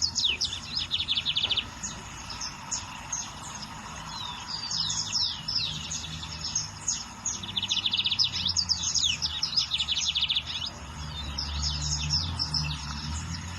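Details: Lined seedeater singing in the wild: bursts of rapid high buzzy trills alternating with sharp chips and slurred whistles, continuous over about fourteen seconds, with low background noise.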